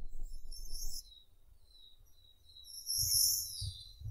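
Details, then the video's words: Japanese robin singing high, trilled phrases in two bursts separated by a pause, over a steady low rumble of background noise. "Как поёт Малиновка японская (Erithacus akahige)"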